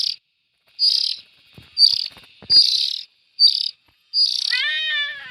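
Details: Young bulbuls giving rasping hiss bursts at irregular intervals, ending in a sliding, whistled, wavering note with clear harmonics and a few soft thumps in the background.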